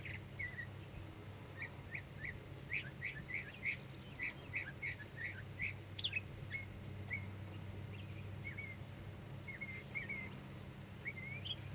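A Northern Mockingbird sings a quick run of varied chirps and short whistled notes, some repeated, over a steady low rumble of background noise.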